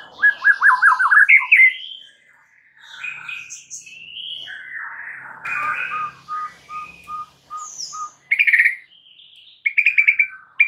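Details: White-rumped shama song from a masteran, a training track meant to calm stressed shamas and make them sing. It varies widely: a fast trilled burst, then slurred whistles, a row of evenly spaced clipped notes, and buzzy repeated phrases closing it.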